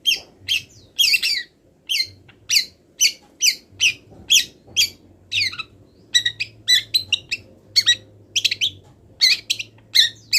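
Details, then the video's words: Long-tailed shrike, still moulting, singing a training song packed with wild-bird mimicry: a steady run of harsh, scratchy chattering notes about twice a second, each short burst spanning high pitches, over a faint low hum. "MASTERAN CENDET FULL ISIAN BURUNG LIAR"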